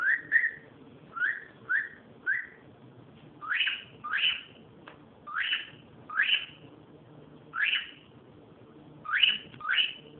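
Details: Noisy cockatiel giving a long series of whistles: three short wavering notes, then loud upward-sweeping calls repeated roughly every second, some in close pairs, above a soft indoor hum.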